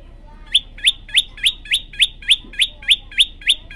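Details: Olive-backed tailorbird singing vigorously: a steady series of sharp, high chip notes, about three per second, each one a quick upward flick, with quiet background.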